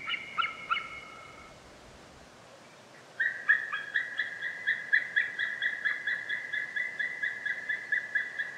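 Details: A few loud yelps from a white-tailed eagle, a short silence, then a long, quick chattering series of high, clipped notes that runs steadily for over five seconds.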